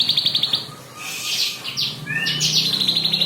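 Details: Song of a bar-winged prinia offered as tutoring material for songbirds: a quick high trill, harsh buzzy notes, paired rising whistles, then another fast repeated trill.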